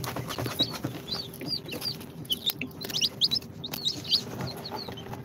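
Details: Mixed-breed chicks (Sultan, Golden Sebright, Cochin, booted), two days after incubator hatching, with loud piercing falling peeps clustered in the middle, quieter chirps around them, and a low hum throughout.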